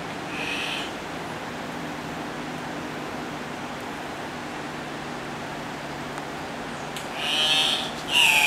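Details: Andean cock-of-the-rock in Risaralda, Colombia, giving brief, harsh, squealing calls, one near the start and two loud ones near the end, over steady rushing water.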